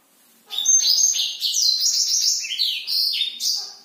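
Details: Black-throated canary in energetic nocturnal song, a rich rapid sequence of high chirps, trilled runs and downward-sliding whistles lasting over three seconds without a break.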